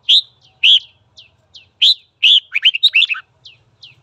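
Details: Red-whiskered bulbul giving morning song meant to stir fighting: loud, clear single whistled notes, then a fast tumbling run of bright warbled notes, with soft high chips scattered around.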